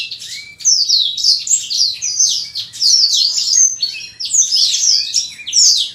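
Black-throated canary giving a fast, high, continuous twitter of sweet chirps and slurred notes, barely pausing throughout; faint low room hum beneath.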